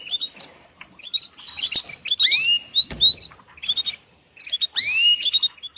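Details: Female canary presented as calling a male for mating: rapid high chirps and trills, with loud sweeping whistled notes that rise then fall, broken by a short silence before another burst.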